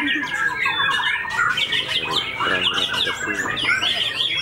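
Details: Newly moulted white-rumped shama of fighter style with a white tail, raging song: repeated sharp down-slurred whistles in fast bursts, some harsh rattling phrases mid-way, over low background chatter.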